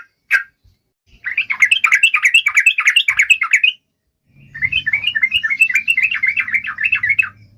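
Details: Yellow-vented bulbul song, ropelan style: two long runs of quick bubbling, rising-and-falling chirps, a dozen or more per run, separated by a short gap, with a faint low rumble beneath the second run.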